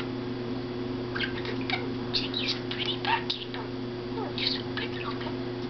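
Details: A male pet budgerigar chatters to his reflection indoors in quick, scratchy warbles and chirps, his usual chattering, over a steady indoor hum.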